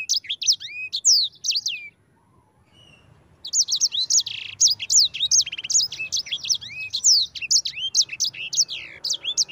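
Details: Sanger, or yellow-fronted canary, singing its energetic rolling 'ngerol' song: a fast whistled phrase, a brief silence, then a long unbroken stream of bright, steeply rising and falling notes.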